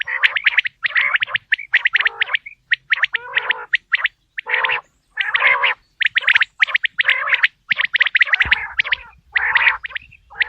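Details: Quail call used for hunting. Dense, stuttering bursts of clipped notes and throaty gargles run almost without break, and a low hum enters late.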